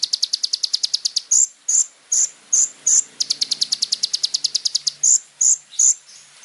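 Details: Little spiderhunter in vigorous varied song: a fast rattling string of high chips alternates with slower, evenly spaced loud sharp notes repeated roughly every half second.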